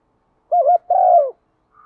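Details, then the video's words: Spotted dove used as a decoy, pearl-necked, calling in the attractive single-ending thúc vấy manner: one phrase made of a short wobbling double hoot and a sustained, slightly falling coo. "chim cu gáy mồi cườm thòng thúc vấy gáy gọi một hậu giọng hấp dẫn"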